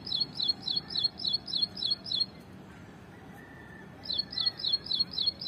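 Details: Ashy prinia singing in a tree, two bursts of fast, regular high chirps, each about eight notes long, separated by a pause of quiet background hum.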